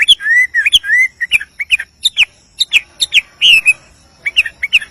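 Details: Wild male Chinese Hwamei singing to call a female: rich, varied whistled phrases, slurred rising and falling notes mixed with sharp chips, delivered in quick bursts with brief gaps.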